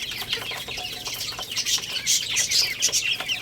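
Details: Chicks at play and feeding make rapid, high-pitched chirps, many birds calling at once and growing louder toward the end.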